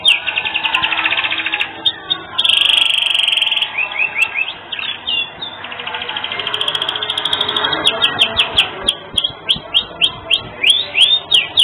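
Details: Tutor recording of a canary singing vigorously with unusual melodic turns: long shimmering high trills, a brief piercing buzzy note, fast chattering passages and bright upslurred whistles repeated in quick succession.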